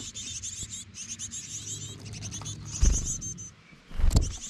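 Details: Japanese tits, two parents carrying food nonstop to a roadside nest of chicks in Kamogawa satoyama, Bōsō, Chiba, on 4 May 2021, give high, thin, rapidly pulsed calls in a near-continuous stream over low rumbling, with two louder thumps near the end.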